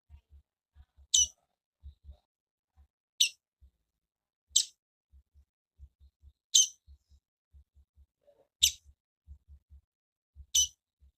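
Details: Female double-collared seedeater calling with crisp, very high single chips spaced roughly two seconds apart, six notes total, while soft low knocking sounds tick irregularly underneath.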